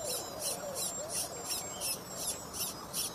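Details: Late-hatched Little pied flycatcher chick that often misses out on food, giving short, high, sharp calls repeated in a steady run, roughly three per second, over a low background hiss.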